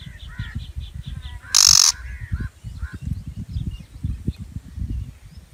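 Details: A single sharp, harsh shrike screech stands out amid a series of soft repeated chirps from other birds and a continuous low rumble.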